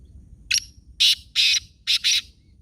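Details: Black francolin calling in Khushab, Pakistan: a loud series of five harsh, grating, buzzy notes, a short first note followed by two close pairs of longer rasping bursts, over faint low background rumble.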